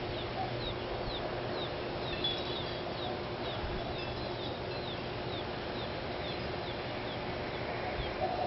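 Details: Gambel's quail chicks born in early May in Tucson: thin high descending peeps repeated every half second or so, soft against a steady broadband hiss and low hum.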